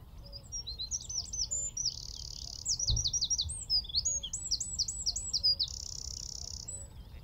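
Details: Eurasian wren singing from a tree at Wicken Fen, about 15 m away, taken with a phone, telescope and shotgun mic: a loud, very high rapid song of sweeping trills and a sustained buzzy rattle, with a distant low repeated hoot beneath.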